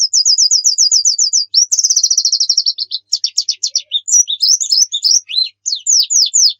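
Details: Pleci training song: a steady series of rapid high chips, a fast descending trill, then jumbled bright twittering with sharp, slurred notes. Used to get kept birds singing quickly.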